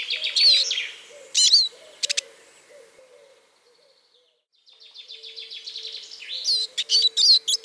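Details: Eurasian siskin (Spinus spinus), song.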